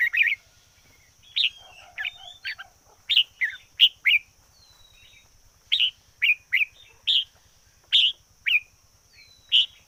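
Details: Singing red-whiskered bulbul kept as a decoy, producing a brisk series of short punchy whistled notes in small clusters, spaced irregularly, over faint regular ticking and a constant high hum.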